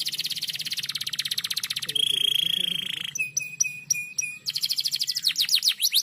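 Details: Canary singing a rapid, tightly packed lure song for tutoring other birds: a fast pulsing trill, then a sustained high whistle, crisp staccato notes, and a closing burst of quick rolling trills with sweeping whistles.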